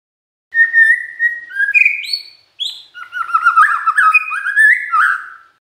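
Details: Magpie-robin song meant to provoke other magpie-robins into answering: clear whistled notes that step upward, then a dense run of rapid, varied warbled and slurred phrases, all in two bursts with a short pause between, no other sounds.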